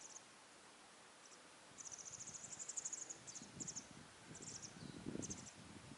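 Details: Masked wagtail fledglings, already out of the nest but unable to feed themselves, sit and screech for food while their mother hunts insects all day; high, thin buzzy notes in short bursts and one longer run, with faint rustling below.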